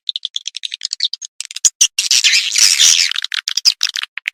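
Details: Edible-nest swiftlet calling sound played through tweeter speakers to attract birds: rapid high chirps in quick series, then a dense buzzy twittering burst, then more separate sharp chirps.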